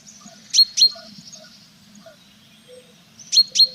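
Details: Tits at a nest box with chicks on 21 April, more and more feathers growing: two short high sharp notes near the start and a quick cluster of similar notes at the end, over a faint low hum.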